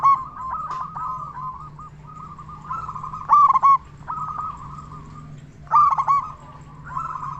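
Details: Vocal local zebra dove with a loud voice, recorded as a lure to prompt other zebra doves to sing: rippling trilled coos repeat steadily, broken by two loud emphatic phrases, over a constant low background hum.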